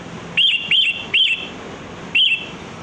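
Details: Kutilang, the sooty-headed bulbul, calling as a bird-trapping lure: four clear, slurred whistles, each rising then gliding down into a held tone, three in quick succession and one after a pause.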